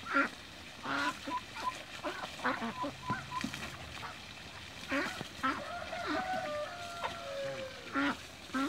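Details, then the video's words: Mature and young Toulouse geese swimming in a backyard, with scattered short nasal honks and quacking calls, some drawn-out rising notes around the middle, amid water splashing. "MATURE & YOUNG TOULOUSE GEESE SWIMMING IN THE BACKYARD"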